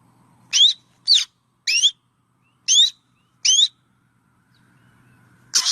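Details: Black drongo giving five loud, ringing upslurred whistles about every 0.6 seconds, ending on a harsh rasp, with a soft low hum in the background.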